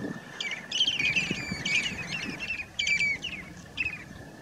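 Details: Short-billed Dowitchers, mostly hendersoni subspecies, feeding on floating mud at Marsh Boardwalk, Point Pelee National Park, Ontario, on 11 May 2019, give quick clusters of high, slightly rising notes in short bursts, with a low rumble of wind or surf behind.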